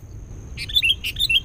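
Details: Sooty-headed bulbul, a fierce wild bird, during a bird-luring session with a decoy bulbul: two quick bursts of bright, sharp chirps, each a cluster of short notes sliding between high and mid pitch, over a low background rumble.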